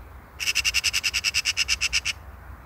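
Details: Eurasian magpie (Pica pica) rattling out a loud, raspy chatter of about fifteen quick, regular notes lasting under two seconds, set against soft low rumble.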